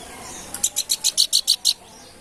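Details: Babbler known as planduk bukit giving a short burst of eight high, bright chirping notes that grow louder toward the middle, evenly spaced and delivered in about a second.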